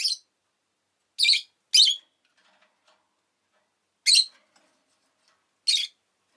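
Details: Pet rosy-faced lovebird making brief piercing chirps, a single note, then a close pair, then two more widely spaced, separated by quiet gaps.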